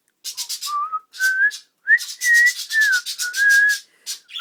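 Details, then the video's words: A pet cockatiel practising a small bird's song whistles clear sustained notes, some rising and some falling, strung together with short breathy scratchy bursts between phrases. "オカメインコ 小鳥の歌を練習中"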